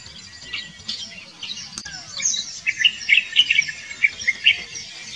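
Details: White-browed bulbul (Pycnonotus luteolus), endemic to India and Sri Lanka, gives a quick, spluttering burst of bright chattering notes, several per second, over a steady high hiss of insects.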